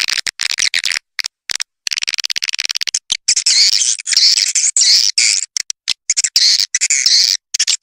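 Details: Swiftlet attracting call for outdoor use: rapid clicking ticks followed by loud, buzzy, high-pitched chirping bursts repeated with short gaps.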